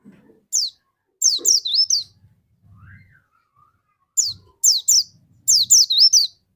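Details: Dakun white-eye in full song, used to lure other white-eyes into singing: two groups of rapid high whistled notes, falling then wavering, separated by a quiet gap with a faint low hum.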